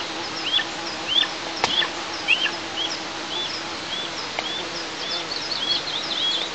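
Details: Nestling eagles on a camera-monitored nest in southeastern Tatarstan, early July 2024, begging as the mother feeds herself: high, thin, upslurred whistles repeated about every half second, with a sharp click and faint background noise.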